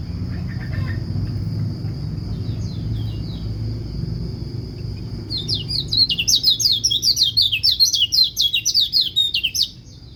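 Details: White-eye song, the kind said to make other white-eyes join in: after several seconds of steady high hum and low rumble, a burst of fast, high, chattering slurred chirps begins and runs on busily to the end.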